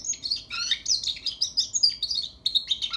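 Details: Young European goldfinch learning to sing, pouring out a fast, high twittering medley of clipped chirps and thin whistles, with an occasional lower downslurred note and a brief break near the end.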